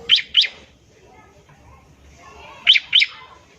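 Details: A bar-winged prinia's ngebren trill, used as a lure for other prinias: two short pairs of sharp, ringing notes about two and a half seconds apart, over a low murmur.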